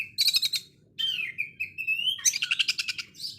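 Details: Oriental magpie-robin in rough sewing-machine-like 'konslet' song: a quick rattled burst, a long smooth rising whistle, then a dense chattering rattle.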